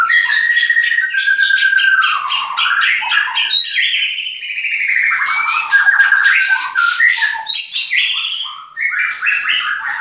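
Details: White-rumped shama, bred in captivity in Klaten, singing a continuous, complex run of chirps, trills and whistled slurs rising and falling without pause.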